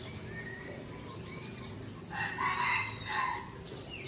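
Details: White-rumped shama of the Aceh type from Tangse, Aceh, singing against a rival: clear high whistled notes sliding down, then a dense burst of rich, warbled phrases with a background hiss.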